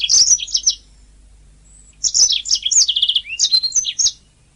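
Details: Canary master song for training songbirds: a brief burst of high twitters, a pause, then a long varied phrase of sweeping whistles and a quick trill.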